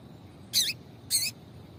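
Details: Two short, bright, high chips half a second apart from a female Double-collared Seedeater, whose calls are used to excite a male into singing; quiet background.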